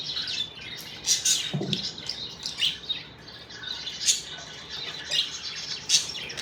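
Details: Happy budgerigars chirping indoors: bursts of high, scratchy chatter and short squeaky chirps come in irregular clusters, with one brief lower rasping sound partway through.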